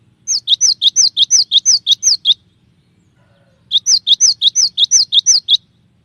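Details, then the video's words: Cinereous tit giving clear shot-like song variations for training: a run of about ten quick two-part notes, high then dropping, then a short pause and a second run of eight. "suara burung gelatik batu dengan variasi tembakan banyak yang nyari"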